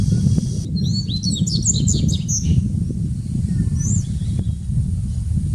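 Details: Dubois's seedeater at São Paulo Botanical Garden, Brazil, 6 January 2019: a quick burst of high, sweet slurred whistles and chirps, then a single rising note, over a steady low rumble of distant traffic.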